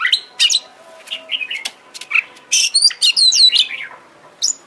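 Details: Oriental magpie-robin lure song meant to provoke a kept bird into singing and fanning its tail: varied bursts of high whistles, sharp chips and downslurred notes, with loud phrases clustered near the middle and end.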